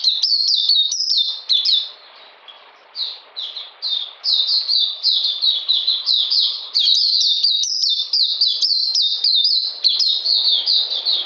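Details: Oriental magpie-robin singing in cold, rainy weather on 13 June 2020, a fast, continuous run of bright, downslurred whistled notes repeated about twice a second, with brief pauses near the start.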